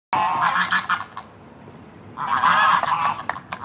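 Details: Geese at Beamish being herded to bed in the evening: a burst of loud, nasal honks, then a near-silent gap of about a second, before a second dense outbreak of overlapping honks from several birds.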